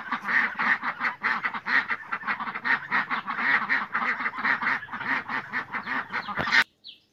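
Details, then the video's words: Several ducks quack steadily in a nasal chorus of rapid, overlapping, raspy calls with no pause, ending abruptly. "Tiếng con vịt kêu"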